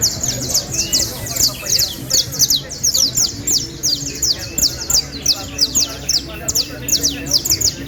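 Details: Canaries from Valledupar, among four birds presented as the best. High, sharp down-slurred chirps come in quick, dense bursts throughout, with several overlapping and a faint low hum beneath.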